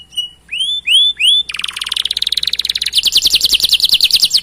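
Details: Canary song meant to prompt other canaries: three rising whistled slurs, then a dense buzzy roll building into rapid high repeated chips.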